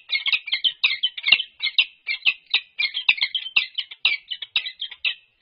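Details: Resident peregrine falcon pair performing a courtship display at UC Berkeley, March 21, 2022, livestream camera: continuous scratchy chips and chattering notes, tightly packed and irregular, with one brief louder click partway through.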